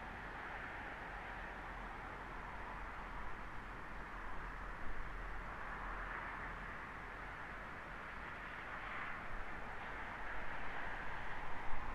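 Only a steady low rumble of wind or distant traffic is heard, with no animal sounds.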